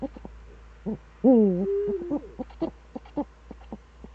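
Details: Eurasian eagle-owl in the Eifel, 26 September 2013, early morning. A loud, harmonic, rasping call runs straight into a level tone that falls slightly. Irregular short pulses are heard before and after it.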